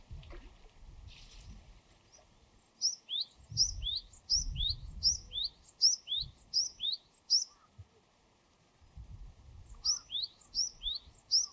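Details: Wild Japanese tit, Parus minor, delivering bright two-note phrases, high then lower and rising, in a run of about six repeats, a pause, then three more, over intermittent low rumbling background noise.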